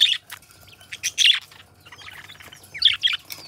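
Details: Companion budgerigars, a pair kept as pets, give short sharp chirps and squeaky notes in clusters, with a quieter murmured chatter in between.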